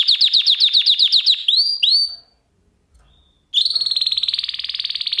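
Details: Canary song lesson for pet birds: a quick series of repeated chips, two rising whistles, a short pause, then a long smooth rapid trill at even pitch.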